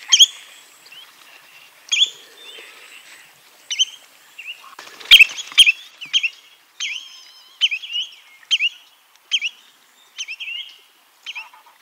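Spotted Redshank giving sharp, whistled, upslurred 'chu-it' calls, at first spaced about two seconds apart, then coming quickly in a run. A brief crackle of handling noise is heard midway.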